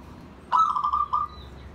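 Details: Pet zebra dove giving a bonding call that invites other birds, a sudden rolling trill held level for under a second and ending in a brief separate pulse, with quiet low rumble behind.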